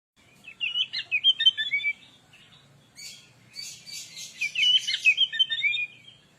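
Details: Oriental magpie-robin singing a gacor lure song meant to provoke other birds: two bursts of varied, rapid whistled and chattering phrases, the second harsher and fuller, separated by a short pause.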